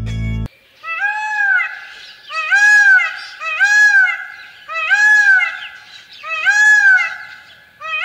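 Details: Indian peafowl in Sri Lanka calling: loud, nasal, wailing notes that rise and fall, repeated about every one and a half seconds, after a brief burst of noise at the start.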